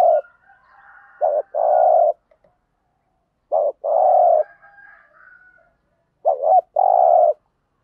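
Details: Spotted dove in the 'thúc gù' lure style, meant to provoke wild birds into answering: three phrases roughly every two and a half seconds, each a short wavering double coo then a long, even, low coo, with faint higher tones between.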